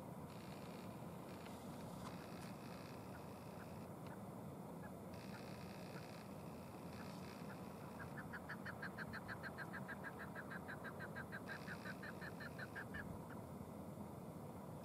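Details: Chukar in Ashcroft, British Columbia, Canada, on 13 March 2019, giving a fast run of dry, clucking chuck notes that speed into a rattling series, over steady wind rumble.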